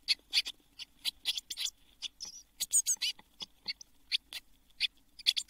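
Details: Nestling blue tits, seven chicks inside a nest box in June 2022 just before they all fledged at Midsummer; scattered short, scratchy, high-pitched chirps, with a denser buzzy flurry near the middle.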